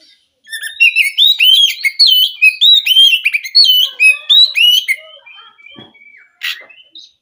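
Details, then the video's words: White-rumped shama in full song: a rapid run of loud whistled, looping notes for about four seconds, then softer lower warbles and a few sharp chirps. "Kacer gacor"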